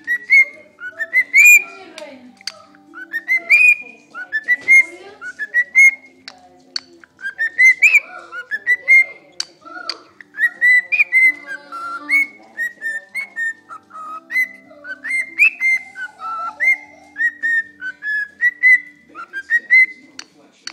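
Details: A cockatiel (Nymphicus hollandicus) whistles the Addams Family theme tune in clear, bright notes that swoop upward in short repeated phrases.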